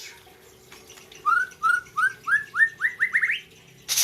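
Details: A competing white-rumped shama from Gayo, Aceh, sings a string of about ten short upward-slurred whistles that speed up toward the end, followed by a sudden burst of noise.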